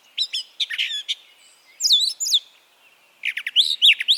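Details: Brown Thrasher song from Harvey County, Kansas, a spring migrant that may copy other birds; loud clusters of crisp chips and swooping whistled notes, phrases given in quick bursts with brief gaps between them.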